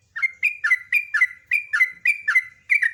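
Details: Sooty-headed bulbul in full, lively song: rapid series of bubbly, liquid whistled notes, each a quick slurred chirp, repeated about three times a second without pause.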